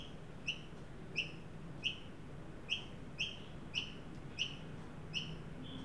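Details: Australian magpies, an adult leading a juvenile to a newly set-out backyard birdbath in Sydney on 9 December 2023 during a 43 °C heat wave; short, sharp high chirps repeated about every 0.6 seconds over a low background hum.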